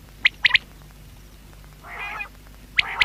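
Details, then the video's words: Common quail with a short three-note phrase, a pause filled by a soft buzzy nasal note, then another sharp call at the end. "Batair sound | Quail voice"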